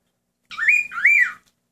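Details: Pet male cockatiel singing along with its owner: two connected rising-and-falling whistles, loud and rich in overtones, lasting under a second in a quiet room.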